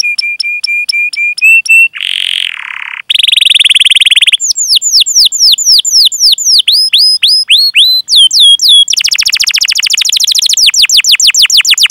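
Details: Lengthy canary song with cuit-cuit chirps and rolls, played to get young, untrained or silent canaries singing. Repeated flat whistled notes, a harsh buzzy burst, a bright trill, then many swooping chirps and a fast rattling roll.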